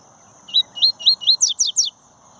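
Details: Song of a double-collared seedeater kept in a breeding aviary: four ascending whistled slurs at a steady pace, then three bright, rapidly falling notes, in the coleiro tui-tui style.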